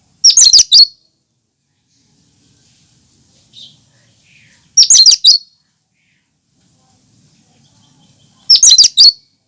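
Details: Cucak kinoi giving its natural song without mimicked phrases, used to prompt and lure other birds: three short bright bursts of jumbled high notes, about four seconds apart, separated by near silence.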